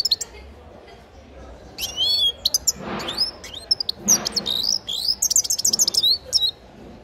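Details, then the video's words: Singing grey-crowned goldfinch nestling: twittering high phrases with slurred whistles, building into a quick, jangling series of sharp tinkling notes. "Птенец щегла пение"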